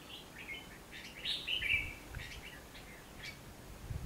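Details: Red-whiskered bulbul decoy fighting song recorded while trapping on 19 November 2015: a quick run of warbled notes followed by scattered short chirps.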